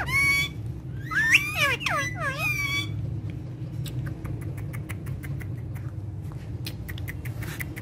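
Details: Pet parrots from a talking parrot family playing together on a charpai. Harmonic squawks and bent, wavering whistled calls fill the first three seconds, followed by quieter clicks and scratchy sounds over a steady low hum.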